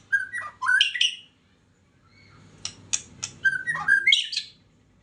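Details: White-rumped shama lure song, called rindu rimba: varied whistled phrases and harsh chattering notes in two bursts, over a steady low hum.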